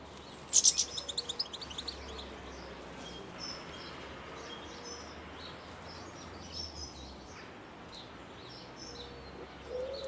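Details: Blue tit at a nest box in Cornwall gives a sudden burst of rapid, high, scratchy notes near the start, then only faint distant chirps over a steady background hiss.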